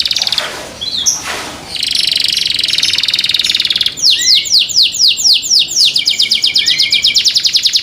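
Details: Canary singing: brief noisy bursts, then a steady buzzy trill followed by a loud series of repeated falling whistled notes and rolling trills.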